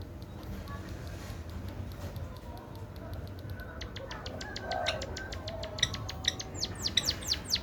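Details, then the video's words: Munia song learned from a canary: after a few seconds of quiet background rumble, a fast run of high, thin, clicking notes begins and builds into louder, sweeping upslurred notes. "Suara Burung Emprit Isian Kenari"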